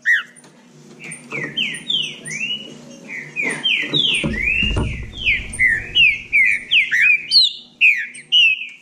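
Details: Bahia saltators in a singing dispute, a long, lively series of slurred whistles quickening into evenly spaced loud notes, with a low rumble near the middle.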